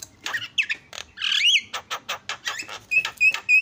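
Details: Asian pied starling song to provoke other starlings: uneven harsh notes, a buzzy warbled phrase, then several short clear whistles repeated rapidly.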